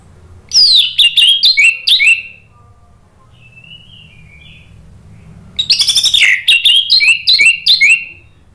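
Orange-headed thrush song in two rich, varied bursts of quick high whistled and chattering notes, separated by a pause with a soft faint warble.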